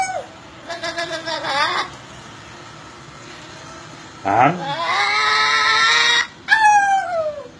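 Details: Parrot copying a turbo whistle: a few short descending squeaky notes, then a sharp upward sweep that spools into a sustained, slightly rising harmonic tone, ending with a falling slurred whistle.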